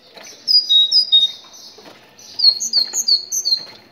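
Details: Moroccan tit song meant to stir other tits into singing: two phrases of ringing, high paired whistles, the second phrase longer and faster with notes stepping up and down.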